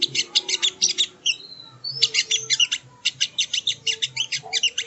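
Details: Sogo ontong recorded as training material for songbirds: dense rapid chirping, interrupted by two clear level whistles before the fast twitter resumes.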